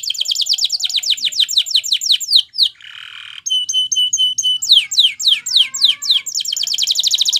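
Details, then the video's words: Canary singing Spanish Timbrado training song: fast repeated trilled notes, a brief harsh buzzy burst, then pure high whistled tones, slower sweeping notes and a return to rapid rolling trills. "Make Your Canary Singing Again"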